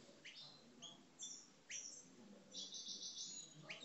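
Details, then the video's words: Caged Algerian parva goldfinches singing aggressively: scattered short chips and upward-swept notes, then a sustained high trilling, liquid phrase near the end, with background hum. "Mes Chardonnerets Parva Algeriens Coupleurs, Agressif"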